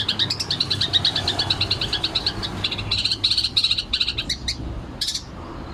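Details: Long-tailed shrike giving ngekek song as a rapid-fire burst: a long run of quick, rattling high chatter notes that later break into short clusters and a final loud squeal, over faint background hum.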